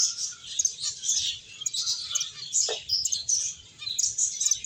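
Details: Several finches chirping while they play and eat: a constant bright jumble of thin, high twitters and quick tweets, rising and falling in bursts, with one short lower note near the middle.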